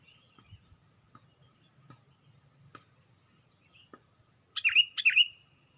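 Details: Sooty-headed bulbul lifting its wings on a branch, recorded as a lure: after soft scattered ticks, a bright pair of sharp notes near the end, each dipping then gliding into a clear whistle, over faint low rumble.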